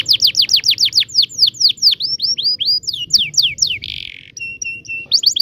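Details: Long rolling 'ngerol' canary song used to tutor young canaries. A fast series of sharp descending whistles slows into wider sweeps, then a brief buzz and steady piping notes before the rolls resume.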